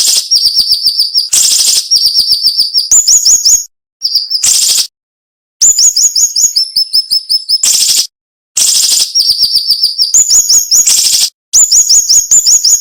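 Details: Cinnamon-bellied flowerpecker song in sharp, dense 'nembak' style with short pauses, used as a tutor recording for songbirds: very high thin notes repeated in rapid runs, some rising and upslurred, broken by loud harsh bursts and abrupt silent gaps.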